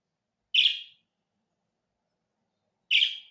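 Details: Budgerigar chirps: two bright, brief, rasping notes about two and a half seconds apart in otherwise silent surroundings.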